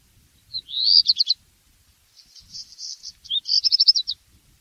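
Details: Black redstart singing: a rising whistled slur into a few rapid notes, then after a pause a crackling scratchy stretch and a final burst of quick high jingling notes; faint low rumble.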